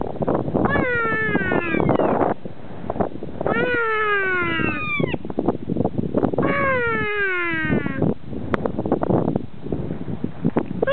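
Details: At Arthurs Pass, New Zealand, in the Punchbowl Falls carpark, a kea answers a person imitating its noise. Long descending wailing calls come in three main bursts, with a constant rushing noise behind them.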